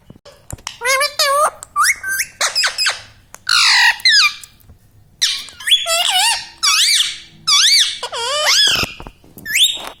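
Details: Talking pet parrot repeating "mummy papa" indoors: a rapid run of loud, harmonic, swooping and arched syllables, some rising and some falling, filling ten seconds with short gaps between phrases.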